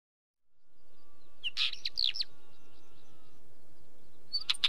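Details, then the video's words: Wheatear giving a short scratchy, crackling phrase of quick harsh notes, with a second brief burst at the end; a faint series of thin, evenly repeated high notes and a low steady background hum underneath. "Wheatear Bird call"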